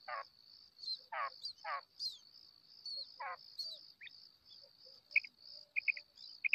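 A female quail gives four harsh, raspy bursts about a second apart, with soft chirps after them, over a steady high whine.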